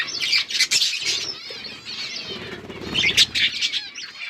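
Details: Several budgies chirping, recorded October 27, 2023, giving busy high warbled chatter and sharp tweets, with wing flutters and a soft low rustling underneath midway.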